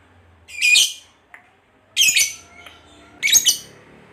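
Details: Lovebird of the fighter type kept by bird fanciers, uttering three harsh, high squawking chirps roughly a second and a half apart, with faint softer notes and a low background hum between them.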